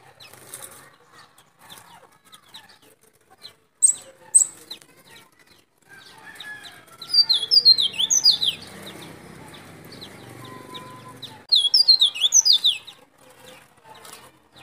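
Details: Local Sulawesi white-eye from Baubau, Buton, with a white breast, singing loudly, used to lure wild white-eyes: two bursts of rapid high twittering notes with downward-sweeping slurs, separated by quieter background hiss.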